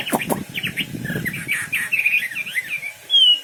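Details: Chattering, slurred whistles from a wambi bird at a busy pace, ending in a clear high drawn-out whistle.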